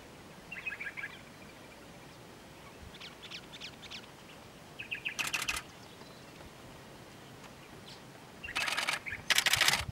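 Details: White-spectacled Bulbul (Pycnonotus xanthopygos) at a drinking trough at Ayn Tobruk, Salalah, Oman, 21 February 2016, gives brief clusters of sharp, chattering chirps at mid-high pitch, broken by loud bursts of wing flutter.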